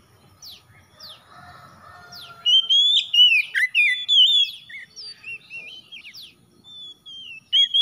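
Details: Oriental magpie-robin with a varied whistled song, sharp downslurred chips first, then loud warbling and sliding whistles, fading to scattered notes and a final whistle.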